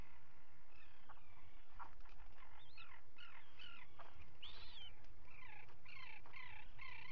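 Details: Common guillemots at a breeding site on a live camera, 27 June 2020, as two chicks hatch; a steady run of high, arched, whistled notes and chirps, some rising then falling, over constant wind or surf hiss.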